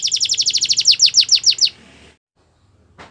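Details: Canary trilling a fast run of bright high notes that gets slightly slower and louder, then stops, followed by near silence and one faint note.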